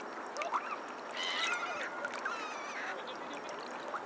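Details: Black-headed gulls in winter at the Danube in Vienna, January to February 2015: several harsh, harmonic-rich calls of rising and falling pitch, overlapping in a noisy group, over a steady background roar of water and city.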